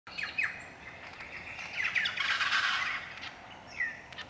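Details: An Eastern Shrike-tit, recorded 25 February 2023, gives a burst of harsh, scratchy chattering, bracketed by short downslurred whistled notes at the start and end.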